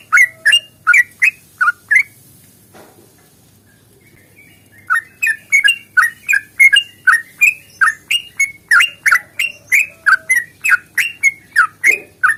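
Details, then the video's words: Yellow-vented bulbul singing a long fighting-style rapid song meant to prompt other birds to sing: brisk clipped chirps, a two-second silence, then a long steady stream of bright notes around three per second. "trucukan GACOR tarung ropel panjang ini AMPUH bikin trucuk gacor bunyi NYAUT"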